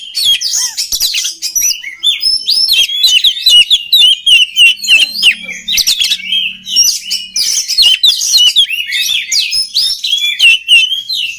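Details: Oriental magpie-robin delivering an extended rich song, meant for training other birds of its kind: rapid bright whistles, warbled phrases and scratchy notes packed closely together, with a quieter stretch in the middle before a loud, busy finish.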